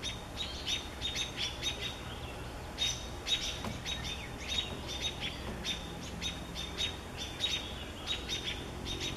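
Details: American robins protecting their young give sharp, high, repeated alarm notes several times a second while attacking a great horned owl, with a steady low background rumble.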